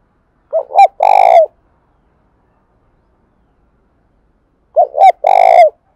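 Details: Spotted dove call used to stimulate another dove to call, a clean, loud three-part phrase: two short hooting notes and a longer, harsher coo, repeated after about four seconds of silence.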